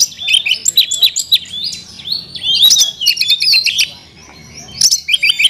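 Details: Kept Oriental magpie-robin giving a varied isian song with learned fill-ins: bursts of bright, high whistles and twittering trills in uneven phrases, a short lull, then a fresh sharp whistled phrase at the end.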